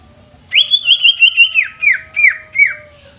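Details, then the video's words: Greater green leafbird singing a loud whistled phrase: a long wavering note, then about five sharp downslurred whistles at a quick, slightly uneven pace over a faint low hum. "SUARA ASLI CUCAK IJO INI BIKIN CUCAK IJO BAKALAN CEPAT BUNYI"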